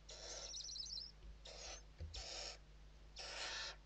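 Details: Western barn owl at the nest interior, Spain, evening feeding on 29 November 2023: four rasping hiss bursts, fairly quiet, with a faint chittering trill early on and a soft low bump near the middle.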